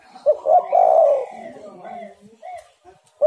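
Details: Spotted dove (tekukur) cooing, played to lure birds: a short note, then a rough, drawn-out coo, then quieter trailing notes and a fresh note starting at the very end.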